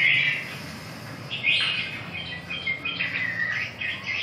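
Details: Red-whiskered bulbul song heard at moderate distance: short whistled phrases, some slurred upward, spaced irregularly about once per second-and-a-half against a steady background hiss and hum.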